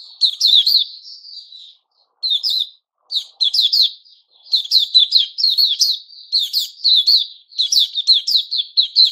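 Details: Repeated phrases of crisp, high chirping notes from a white-crowned shama in its new-feather season, kept captive, 6 September 2021, broken by brief silences before running on continuously.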